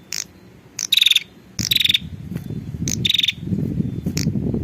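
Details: Prinia female calling the male, a lure recording: a few short rasping high bursts with a whistled slur inside, separated by ticks, over a rising low rumble of background noise.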